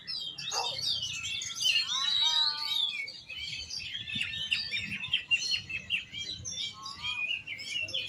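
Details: An oriental magpie-robin sings a rich, unbroken medley of sweet whistles, buzzy trills and quick chattering notes, with a clear descending whistled series near the start and a short trill toward the end.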